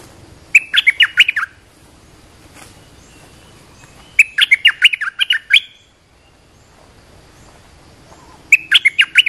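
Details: Olive-winged bulbul call used to train young birds and lure wild birds: three bursts of bubbly, warbling notes jumping between low and high pitch, each phrase about a second long, roughly every four seconds, over a faint background hum.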